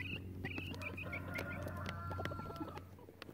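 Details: Peaceful chicken flock with crows removed; run of short high chirping notes, then a long thin held tone and scattered soft clucks, over taps and a steady low drone.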